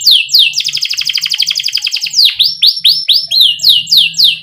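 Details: Canary singing energetically with rolled trills and pauses, used as a tutor to get young canaries singing sooner: a fast buzzy trill of even pulses, then a series of bright, quickly descending whistled notes repeated about four times a second.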